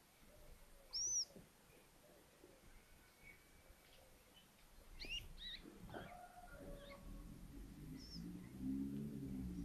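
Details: Little owl at an attic nest in Tiszalök, Hungary, close to Hortobágy National Park, on April 24, 2024, the day the first egg hatched; one loud, high, arching squeal, then scattered faint chirps, rustling and a rising low hum.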